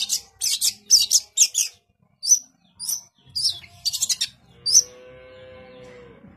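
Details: Long-tailed shrike (cendet) singing in full 'gacor' form with dense 'tembakan' bursts: clusters of harsh, buzzy, high chattering notes mixed with short sharp whistled slurs, in quick irregular runs, ending with a low steady humming tone.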